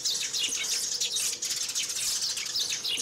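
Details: Several sparrows call and fight, chattering in a dense, high-pitched jumble of quick chirps and twitters with no pause across the whole stretch; the sound is used to lure sparrows in.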